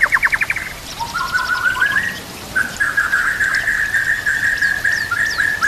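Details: White-rumped shama song from a masteran training recording: a rapid rattling trill, then long sustained, slightly wavering whistled notes with faint high chips behind.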